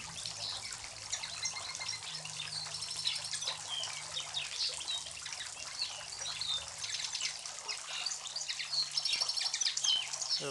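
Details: In Sarajevo in May 2011, a European goldfinch sings from above a fast, tinkling twitter of high liquid notes and buzzy trills, while a linnet and other small birds chatter nearby over a steady low hum.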